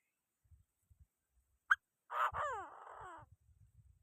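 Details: Chinese francolin calling to provoke other birds. A bright click is followed by a loud, harsh, grating phrase of roughly a second with descending harmonic strokes. Low rustling taps sound before and after.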